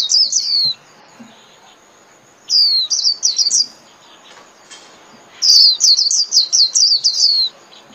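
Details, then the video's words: Líu-style song of a Japanese white-eye, used daily to train caged birds: three bursts of quick, sharply falling high whistles, each run lasting one to two seconds, with quiet gaps between. "TIẾNG CHIM KHUYÊN LÍU"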